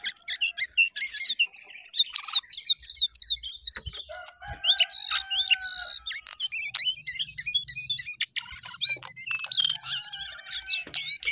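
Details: Jongkangan singing energetically, phrases climbing and dropping; dense, loud high chattering and rapid sweeping notes pour out almost without pause, with a low hum underneath.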